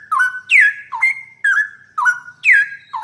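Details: Straw-headed bulbul song used as a master recording for teaching a trucukan (yellow-vented bulbul): loud, clear whistled phrases, each a sharp rising-then-falling note settling into a held tone, repeated about twice per second in a steady loop.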